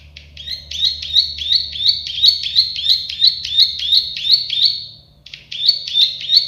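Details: Plain prinia, locally the klik-klik bird, delivering a long run of buzzy clicking notes about three per second, trailing off into a brief pause before resuming; soft background hum.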